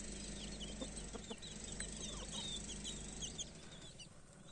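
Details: Baby chicks with their mother hen, peeping in quick, high, thin repeated notes over a steady low background hum, with a few soft lower sounds.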